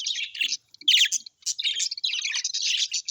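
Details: Happy budgerigars, colorful Australian parakeets kept as pets, utter clustered squeaky chirps and chattering bursts separated by brief silences.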